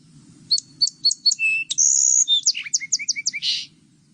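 A Song Sparrow opens with four clear, evenly spaced high notes, then runs into a long whistle, a quick series of falling notes and a rough buzzy ending, over a faint low rumble.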